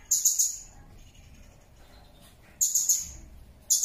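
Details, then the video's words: A Blue-crowned hanging parrot gives its natural call, used to lure others into calling: very high, thin, shrill notes in quick bursts of three or four, with short pauses between the bursts. "SUARA BURUNG SERINDIT"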